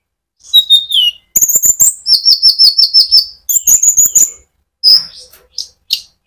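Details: Energetic sunbird in rolling song, used to excite other sunbirds; fast high twittering trills with buzzy repeated notes in long bursts, followed by a few separate sharp chips.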